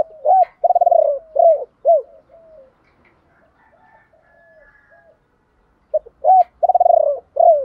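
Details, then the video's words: Decoy spotted dove calling in the 'ba hậu' style to lure wild birds: a rolling first coo, then arched hollow coos. The phrase is sung twice with a near-silent gap between. "Chim cu gáy mồi gáy gọi ba hậu, nhiều anh em bảo là bổ ba"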